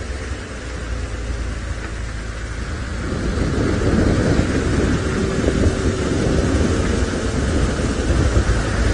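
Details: Low engine rumble and wind buffeting throughout, growing louder toward the middle, with a faint steady hum and no animal calls.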